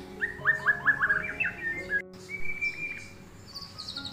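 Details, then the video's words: Tame white-rumped shama delivers a quick series of bright whistled notes, pauses briefly, then gives a long steady whistle followed by a thin high note. Low background hum. "MURAI BATU JINAK MANTUL BUAT TEMEN NGOPI"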